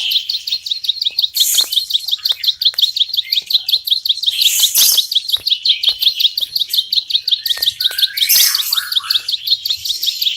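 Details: Ciblek sawah (bar-winged prinia) holding a long, fast sequence of sharp high chips at an even pace, broken by short hissy flares and a few lower sliding notes near the end.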